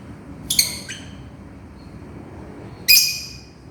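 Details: Lovebird calling its companion with a sharp two-part harsh shriek, a quiet gap of about two seconds, then another loud rasping screech.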